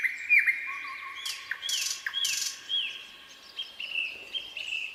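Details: Common nightingale singing in a quiet spring pine forest, recorded 2024: arched, slurred whistles near the upper-middle range, a low steady tone, and short bursts of harsh broadband rasping between phrases.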